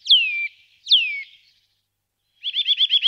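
Eurasian nuthatch giving two clear, downward-sliding whistles, then a quick run of about seven short, bright notes. No other sounds.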